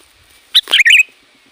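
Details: Sooty-headed bulbul, used as a lure for wild bulbuls, gives one brief phrase: a high opening chip followed by a bubbly, slurred warble that ends on a short steady note.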